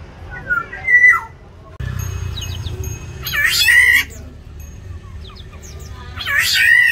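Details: Black-naped orioles fighting over territory inside an aviary: harsh, nasal, mewing calls with a rising-then-falling shape, about three outbursts spread over seven seconds, with low background rumble between them.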